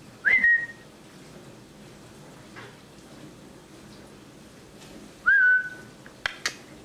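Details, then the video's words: A parrot gives two clear whistles, each rising then held level, about five seconds apart, followed by a few sharp clicks. "Funny parrot talking and makes strange noises"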